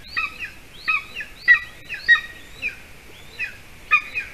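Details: Evening prey delivery at a golden eagle nest in Latvia, the adult male bringing a larger bird for the chick: quiet, double-noted chirps falling in pitch, repeated irregularly amid low background noise.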